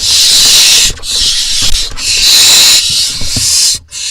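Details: Barn owls in an Israeli nest box, July 2021, while parents bring voles to the nestlings: loud, nearly continuous rasping hiss, broken by two brief dips, with faint low thumps beneath.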